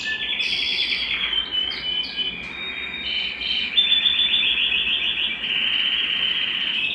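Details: Excited male canary singing at home, wanting to mate: long varied song of rolling trills and buzzy tours shifting between pitches, fast rapid-note runs in the middle, continuous throughout.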